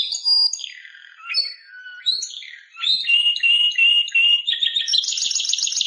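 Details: Timbrado canary song made of varied sliding whistles and short phrases, followed by a steady tonal run of repeated notes and closing with a high, rapid rolling trill.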